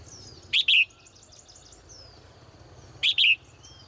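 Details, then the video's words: Caged female bird heard in the morning, giving sharp high two-part chirps twice, about two and a half seconds apart, with quiet faint noise between them. "นกตัวเมียร้องเจื้อยแจ้วในยามเช้า , เสียงนกร้องในกรง"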